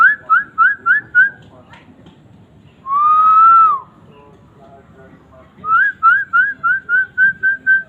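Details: Asian fairy-bluebird in full song: a series of short, clear whistled notes repeated about four times a second, then one long steady whistle that rises slightly and falls away, followed by another run of quick whistles.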